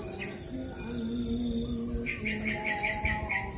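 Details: A parent shrike, wary of predators near its nest of three chicks, gives a quick run of about seven short, sharp chirps. It is recorded from about 4 m up a tree, over a steady high insect drone and low hum.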